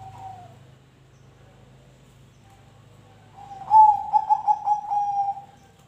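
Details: Zebra dove singing, meant to make other birds sing; a brief coo and steady low humming, then a bright, loud phrase of fast pulsed notes that gradually lowers and fades.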